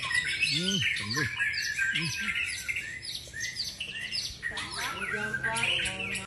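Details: White-rumped shama, a champion bird, delivering quick sharp chirps and whistles in tight bursts, with low arching voice-like sounds early on and a sudden burst of notes after a brief dip.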